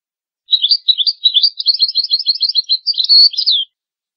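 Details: European goldfinch song used as a tutoring recording for young goldfinches and hybrids: a rapid, continuous run of twittering notes and tinkling chirps, ending in a brief buzzy trill, against a clean, silent background.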